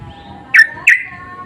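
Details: Two sharp, bright notes from a sooty-headed bulbul, each falling away quickly and spaced a third of a second apart, from insistent lure calls answered by other birds.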